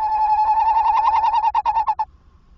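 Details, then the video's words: At a nest box at 21:45 on 27 August 2024, a tawny owl calls on arrival. Steady tremulous tone breaks into rapid separate pulses before stopping abruptly, followed by near silence. "Bosuil Roepend in de nestkast"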